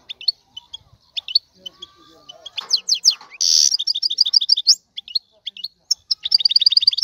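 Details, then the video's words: Aroused male European goldfinch singing to encourage a female to breed. Sparse high chirps open, then a dense stretch of liquid twitters, a buzzy rasp and fast repeated note pairs. "اقوى تغريد الحسون لتحفيز انثى الحسون"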